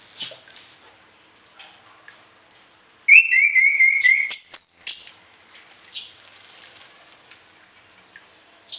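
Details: Orange-headed thrush in full song, kept for training other birds, suited to morning and evening: a bright burst of varied whistled and trilled phrases, fast wavering notes with sharp high accents, then softer scattered chirps.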